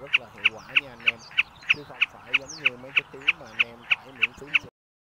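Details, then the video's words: Common snipe lure call for night mist-net trapping of migrating birds in March 2024, large fan-tailed type: a fast, even series of clipped, piercing notes about three per second with humming tones underneath, ending abruptly. "Tiếng Bẫy SÂM GIUN , DẼ GIUN lớn ĐUÔI XOÈ"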